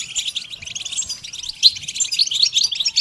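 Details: Goldfinch singing in a training setting, a fairly quiet stream of dense high-pitched twittering and chirps with no clear pauses.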